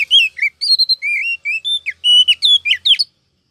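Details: Chattering whistled phrases from a female Oriental magpie-robin, used in 2023 to rouse males and draw wild birds into traps: about a dozen clear notes, some rising, some slurred, with short pauses between.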